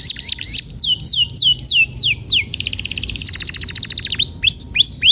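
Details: Male canary, presented as a therapy recording to encourage rolling song, singing loud: a series of falling whistled slurs about three per second, then a fast buzzy trill, then more downslurred whistles.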